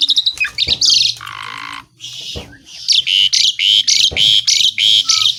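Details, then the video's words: Asian pied starling singing loudly with imitated phrases: quick whistles, a long harsh rasping buzz, then a rapid series of bright, evenly spaced chirps. "JALAK SUREN GACOR BESETAN ISIAN"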